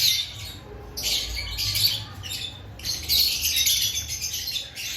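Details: Lovebirds before the breeding season, several birds calling at once: harsh, high squawks and chirps in dense overlapping bursts about a second long, with brief quieter gaps between them.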